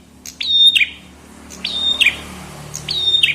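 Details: Chestnut-headed tesia singing on a songbird tutor recording from 2022. Three phrases, each a sharp high note sliding into a steady whistle and ending in buzzy, descending chips, repeated roughly every 1.3 seconds over a low background hum.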